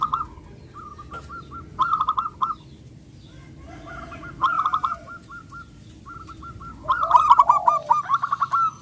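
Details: Local zebra dove singing loudly, used as a lure to make other doves sing; bursts of rapid, hooked cooing notes in quick runs, separated by pauses, with faint clicks in between.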